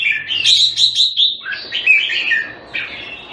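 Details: Singapore-kept caged red-whiskered bulbul, Thai style, 14 February 2018: a loud, close burst of chattering trilled notes followed by fluting, slurred whistles that dip and rise, in quick succession.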